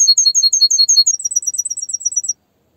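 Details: A canary sings a quick series of bright chirped notes that speeds into a tighter, higher trill before stopping abruptly.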